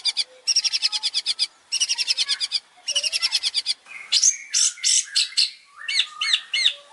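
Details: Long-tailed shrike master song for training, from a champion bird: three long series of rapid rattling pulses, then looser whistled and slurred notes dropping and rising, with a faint low whistle at times.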